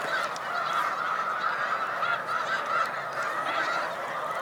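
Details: Many Snow Geese on a spring migration rest stop at Cayuga Lake, New York, March 2021, calling together in a constant murmur of high honks, thousands of voices merged into one steady sound.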